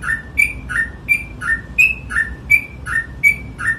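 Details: Yellow-vented bulbul in gacor ropel style, a nonstop rapid singing form: paired whistled notes, a bright higher note sliding into a lower slurred one, repeated about every third of a second in a steady run.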